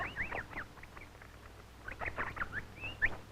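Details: A male superb lyrebird in southeastern Australian rainforest during courting season mimics parrots with a run of harsh, rasping squawks and chatters, coming in two bursts over a low background hum.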